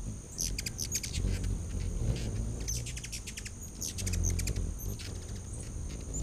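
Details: Hummingbirds crowding a back-deck feeder in late August 2019, giving dense clusters of quick, high, squeaky chips and twitters throughout, with a low humming rumble of wings and a constant high-pitched whine behind.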